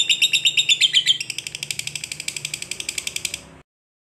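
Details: Long chattering lovebird song meant to goad a reluctant bird into singing, rapid shrill repeated chips in a steady train that stops abruptly near the end.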